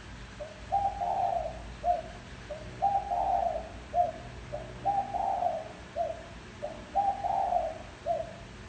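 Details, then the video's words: Cooing spotted dove recorded as a decoy to lure wild birds: repeated low, breathy three-note phrases, short coo, extended rolling coo, short coo, about every two seconds, four phrases, faint steady hum. "Tiếng chim cu gáy gù gọi hay cực chất dùng kích bổi gù kich mồi"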